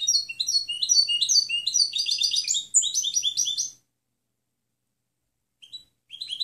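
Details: European goldfinch training song: a continuous, fast jumble of bright chirps, buzzy slurs and trills for nearly four seconds, followed by quiet and a couple of short twitters.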